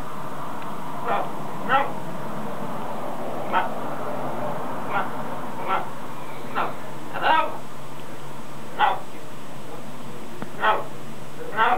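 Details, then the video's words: A male macaw practising his words outdoors gives a run of short, harsh, speech-like bursts, about ten in all, spaced irregularly every second or so over a low rumble; he says words like Hello and Step Up and mimics growly noises. "Macaw Talks A Lot"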